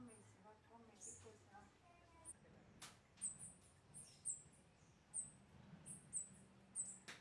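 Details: A rufous-tailed hummingbird (Amazilia tzacatl) calls with very high, thin chips about once a second, over faint low background hum and muffled voices at the start.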